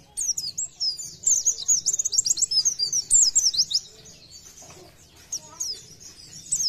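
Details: Pleci, Oriental white-eye, singing hard in the 'nembak' shooting style used to make other white-eyes sing: dense, high, fast twitters and slurred whistles in a loud run, then quieter scattered chirps.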